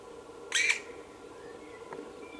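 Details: Black woodpecker chick begging for food at Ås, Norway, 25 May 2017: a harsh, raspy double call, then a fainter single note about a second later, against a quiet background hum.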